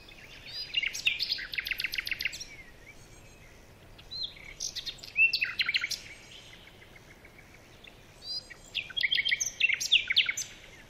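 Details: Baya weavers: three bursts of rapid, dry chattering ticks, each running into buzzy, wheezy notes and short chirps, separated by brief quiet gaps, with a light background hiss.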